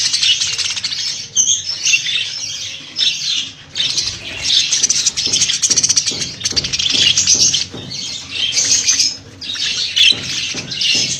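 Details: Budgerigars held for sale chatter loudly in bursts of dense, high twittering, mixed with fluttering and rattling noises below.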